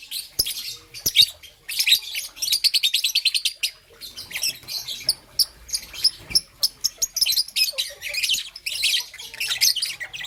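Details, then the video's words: Young green-and-yellow Rosy-faced (peach-faced) Lovebird in the morning, chirping in rapid, high, shrill bursts, short chattering runs and single sharp notes spaced through ten seconds. "Lovebird's melodious chirping sound"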